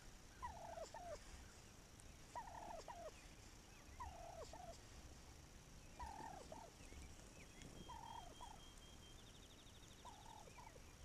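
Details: Wild turkey recorded on May 7, 2021, sounding distant: a short rattling, descending gobble repeated about every two seconds, six times, over steady background hiss, with a faint high buzzy insect-like trill near the end.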